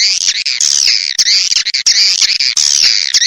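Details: Swiftlet calls from a lure recording: loud, high-pitched chattering twitter in wavering bursts, nearly continuous with short breaks.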